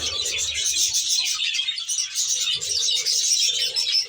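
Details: Budgerigars housed in an aviary reserve fill the air with continuous bright twittering and scratchy warbles from many birds at once.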